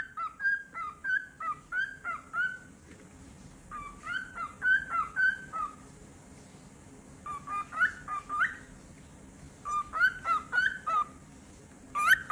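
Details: A cockatiel kept as a pet guards its toys with bursts of tuneful, slightly rising chirps delivered in rapid runs of four to six, separated by brief pauses, steady low room hum underneath.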